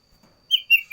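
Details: Brief fragment of sooty-headed bulbul song: two or three clear whistled notes, slightly slurred downward, cut short at the end.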